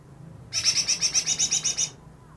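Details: Greater green leafbird, caught two days earlier and claimed to imitate ten bird species, delivers a steady harsh rattle of about eleven buzzy notes in one and a half seconds.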